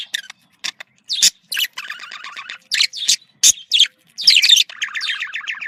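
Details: Budgerigar (Australian parakeet) giving contact calls, said to sound happy: sharp chirps and clicks mixed with buzzy, rapidly pulsed warbling phrases, bursts separated by short silences.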